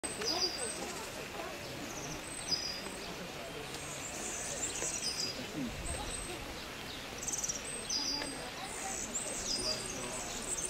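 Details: European Serin singing in Granada, Spain, in April 2011: a very high, fast, jingling song in short, glassy bursts over a steady rushing background hiss.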